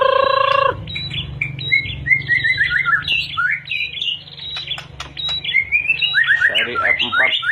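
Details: Medan white-rumped shama singing a long sequence of whistled and chirping phrases with quick rising and falling notes, over a constant low hum in the background.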